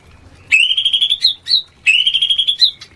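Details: White-rumped shama mating sound, played as a lure to raise breeding urge in shamas lacking it: two long, clear whistled notes, each holding steady before ending in short sharp upward flicks, separated by a brief pause.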